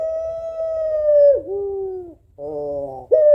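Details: Female puter pelung (African collared dove) calling to the male with a mournful voice: a long steady coo that drops at its end, then a lower slurred note, a brief pause, a buzzy rich-toned phrase and the start of another coo.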